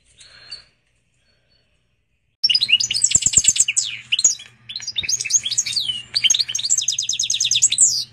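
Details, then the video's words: Hybrid of a female canary and a Portuguese goldfinch: one short note, two seconds of silence, then a long burst of rich twittering song with fast trills and slurred chirps over a low steady hum. "Pintagol de canaria x pintassilgo português canta muito!"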